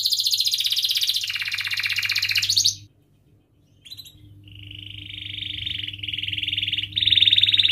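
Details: Singing canary, used as a stimulus to spur rivals and teach young canaries: a dense bright rolling trill for nearly three seconds, a brief pause, then steady trilled rolls resume, rising into a sharper high trill. Low electrical hum throughout.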